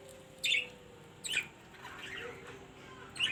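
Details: Australian parrots in a colony: short harsh screechy squawks at intervals of about a second, over steady background noise with a faint low hum.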